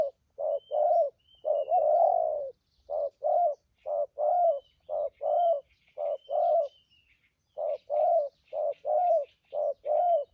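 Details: Spotted dove serving as a trapping decoy with good voice and 'thúc gù' cooing; insistent hollow coos in quick short-long pairs almost every second, one drawn-out note early on, thin bird chirps faintly behind.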